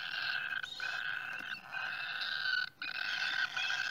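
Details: Cockatiels at the nest produce a steady, harsh buzzing rasp that is interrupted twice by brief breaks.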